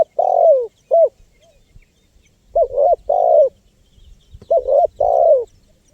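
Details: Lure recording of a spotted dove: three repeated phrases of soft, low coos, short rounded notes followed by a longer drawn-out coo that drops in pitch at the end.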